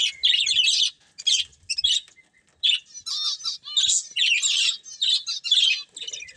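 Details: Chirping from a breeding pair of budgerigars comes in short bursts of scratchy, high warbling chatter separated by brief silences, with a few clearer squeaks mixed in.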